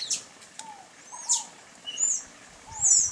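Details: Sayaca tanager giving thin, high squeaky notes, some sliding down and some rising, spaced about every half second to second, with soft low downslurred whistles from another bird beneath.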